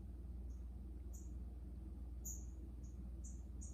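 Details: High, thin chips and short bright notes from Green-backed twinspots, newly arrived finches held in quarantine, given irregularly over a persistent low mechanical hum.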